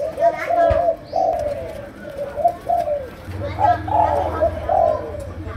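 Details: Malaysian spotted dove in chiêu gù style, called sấm đồng: a series of low, rounded coos, some sliding downward, spaced unevenly over several seconds, with a low steady hum and a brief click in the background.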